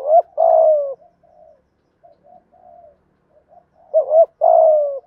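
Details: Spotted dove cooing in the 'giọng thổ' manner used to stimulate wild doves: a short note and long falling coo, a stretch of soft low murmuring, then another double note and long coo; no other sounds.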